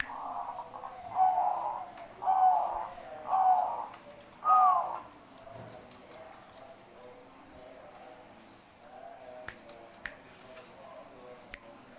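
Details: Zebra dove, Bangkok type, singing vigorously: four rolling coo phrases about a second apart, then quieter coos with a few sharp clicks and taps later on.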